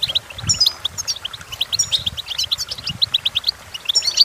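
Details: Goldfinch song intended as a tutor for young singers, a fast run of bright, high chirps and clipped twittering notes, with a few faint low bumps underneath.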